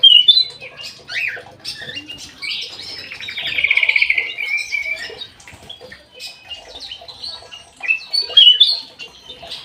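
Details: Lively song of a kutilang emas kept in an aviary, with quick chirps and slurred notes, then a loud rapid buzzy trill around the middle, followed by scattered bright twitters and sharp whistles.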